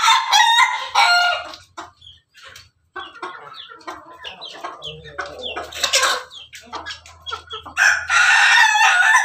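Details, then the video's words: Laughing chicken (Ayam Ketawa), a red rooster on top of its cage, giving melodious crows: loud, bright, harmonic bursts at the start, middle and end, joined by rapid choppy cackling syllables. "Ayam ketawa di atas kandang, simerah pendekar berkokok yang merdu"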